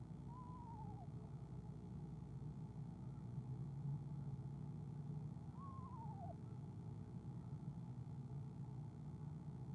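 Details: Two soft trills from an Eastern screech-owl on a nest camera, 17 February 2015, as its mate arrives: quavering downward-sliding notes about five seconds apart over a steady low droning background.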